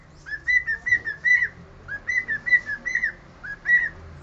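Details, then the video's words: Cockatiel whistling the Sport club anthem melody as a lively run of clear, bouncing whistled notes grouped in repeated phrases, about a dozen notes with brief gaps between phrase groups. "KALOPICITA CANTANDO HINO DO SPORT"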